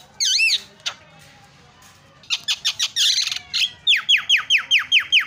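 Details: Energetic Javan myna 'gacor' song, said to get other mynas chattering at once: a loud wavering whistle, then rasping squawks, then a steady series of about eight sharp descending whistled notes.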